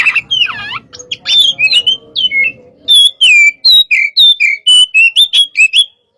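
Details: "Hot type" Oriental magpie-robin in a stimulating session: harsh squawks and a faint low murmur at first, then a steady series of loud, clear whistled notes, each bent downward, about three a second.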